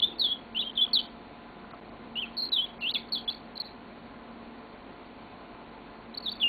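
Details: Yellow-fronted canary kept at home giving a few bright, high chirps and warbled notes early on, followed by several seconds of near quiet.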